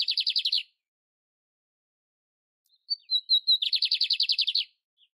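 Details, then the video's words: Song of a lined seedeater in the wild: the end of one buzzy trill, a pause of two seconds, then high whistled notes leading into another rapid rattling trill of about twelve notes. "BIGODINHO PARDO CANTANDO NA NATUREZA"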